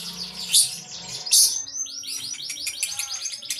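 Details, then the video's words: Konslet, the lovebird's continuous singing: two loud, harsh bursts open, followed by a steady chain of quick, rising high chirps that runs without pause to the end. "Ciri ciri lovebird konslet"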